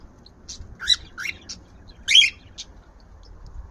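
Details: Cockatiel; courtship song; courting his female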